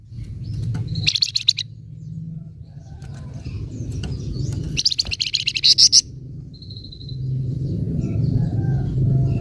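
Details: Flamboyan bird in 'nyecret' style, meant to rouse other birds: two sharp bursts of rapid, metallic chirps, then a brief thin whistle, all over a steady low rumbling background hum.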